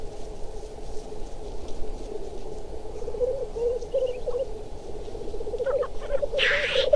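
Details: Black grouse chasing and fighting: continuous low rolling bubbling that swells and fades, a few faint harsh notes, and a sudden sharp hissing sneeze near the close.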